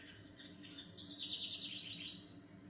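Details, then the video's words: Bird sings one high, fast trilled phrase lasting about a second, a dense buzzy twitter that rises in loudness midway and ends with a brief downward slur, with low steady hum behind. "SONIDOS DE PÁJAROS RELAJANTES"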